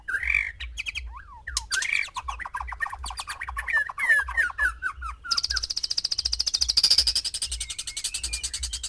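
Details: Male white-rumped shama singing to stir six females into mating: varied whistled and slurred notes with downward swoops, then a fast buzzy rattling series at a high pitch, with a steady low hum behind.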